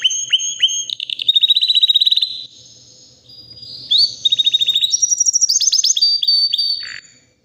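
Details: A white canary, roughly three years old and ready to breed, sings in two bursts of rapid, regular chip trills separated by a brief quiet gap, mixing steady high whistles, buzzy rolls and a final dropping note.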